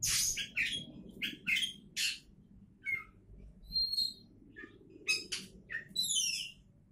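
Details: Oriental magpie-robin, described as a champion candidate, gives scattered song phrases: sharp chips, a clear level whistle and downward-slurred notes separated by short gaps, with soft low rumble underneath.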